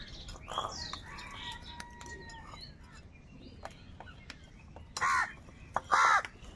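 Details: Angry crow calls from a big crowd of crows fighting for food: after a stretch of faint chirps and thin whistles, two loud, hoarse caws come about a second apart near the end.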